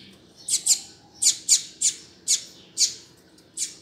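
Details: Double-collared seedeater calling: sharp, high, dry chip notes given singly and in pairs at an uneven rate, with a faint low background hum.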